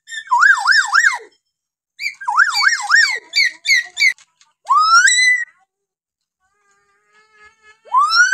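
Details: Common hill myna from Kalimantan giving varied calls: loud wavy whistles that rise and fall three or four times, sharp chipping notes, then long rising whistles. Quiet gaps fall between phrases.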